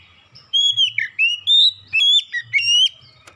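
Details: Oriental magpie-robin singing a lure song to prompt other birds into full song: a continuous run of clear, loud whistles, some long and level, others bending up and down, strung together for about three seconds.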